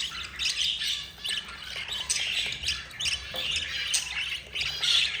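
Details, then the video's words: Four budgerigar chicks being fed by their yellow mother, giving harsh, raspy squawking begging calls in quick uneven bursts, overlapping one another in a steady chorus. "Jasperine the yellow mother budgie feeding her four babies"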